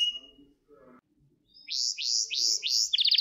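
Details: Gloster canary training song for stimulating males: faint low rustling and murmurs at first, then the bird enters with three loud sweeping phrases and a quick high buzzy trill.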